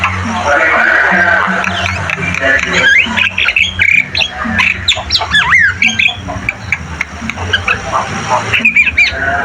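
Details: Javan myna in a training recording: a loud varied run of harsh squawks, rising and falling whistles and sharp clicks, with a low steady droning tone underneath.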